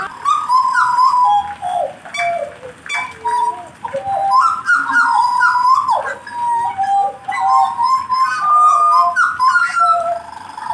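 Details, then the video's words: A blorok being warmed up into song: loud, rich and varied whistled phrases, sliding notes and quick twittering runs delivered almost without pause, with rising and falling swoops and brief gaps between bursts. "kasi panas dlu jagal blorok nya"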